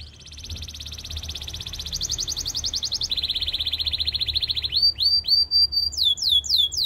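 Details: Song of a Belgian singing canary, presented as a voice to attract all canaries and train them: long fast rattling trills stepping between pitches, then a run of sharp repeated upsweeping whistles.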